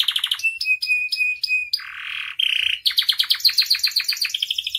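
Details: Singing canary with rich varied phrases, used as tutor and lure audio: rapid pulsed trill, then repeated clear high notes, a harsh buzzy low stretch, a steady whistle, and finally a long fast rolling trill.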